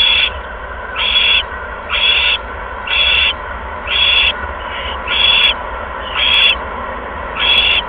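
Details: Owl at the nest with a second mouse, 16 February 2015, 8:38 PM; a steady series of eight short, harsh, wheezy screeches about once a second, with faint clicks and a low hum behind.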